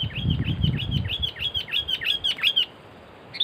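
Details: Sooty-headed bulbuls during bird trapping in which two birds were caught: about ten arched, whistled notes repeat quickly over two and a half seconds, then stop. A low rumble sits beneath the first second.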